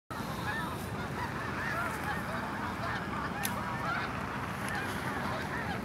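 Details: Snow Geese in an early flock blast-off at Hagerman NWR: a dense crowd of nasal honks over a steady, broad roar, with a few sharper yelps rising above the wash of sound.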